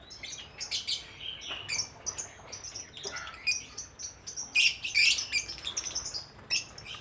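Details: Colony of caged lovebirds of many colour varieties, including lutino, green, golden-headed, albino and red-eyed: dense overlapping shrill chattering and high squeaky chirps from many birds without a break.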